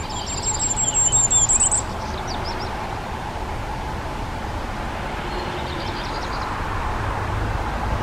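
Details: Common firecrest: one short burst of very high, thin, rapid notes near the start, then only faint distant twitters from other birds and a steady low rumble of background noise.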